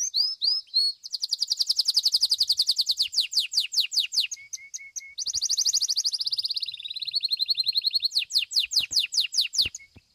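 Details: Competition song of a domestic Belgian canary, fibra style: long unbroken rapid trills shifting in pitch and tone, a few short flat notes, a brief break, then fresh loud rattling trills to the end.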